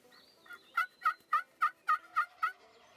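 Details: Merriam's wild turkey tom gobbling and strutting on a fine day in the Black Hills of South Dakota, heard from a hunter's ground blind: a rapid run of about eight loud, evenly spaced gurgling pulses within two seconds, faint whistled birdsong behind.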